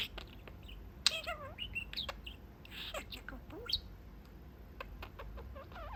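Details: Male pet budgerigar perched at a small window in his cage, chatting with his owners indoors; rapid mixed clicks, harmonic warbled syllables and short rising and falling notes, with a faint low room hum beneath.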